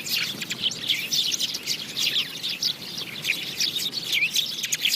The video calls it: Sparrow chirping | goraiya sounds